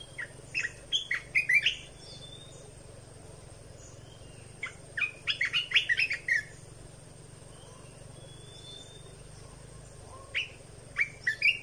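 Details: Red-whiskered bulbul song, played for training young birds and exciting birds: three bursts of cheerful, chattering whistled phrases separated by quiet pauses, notes sliding up and down, with a faint constant hum behind.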